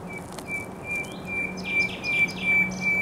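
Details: Thrush nightingale at the Żerań Canal in spring, 24 April 2022: a long, steady, pure whistled tone held throughout, with faint, quick falling notes layered above it.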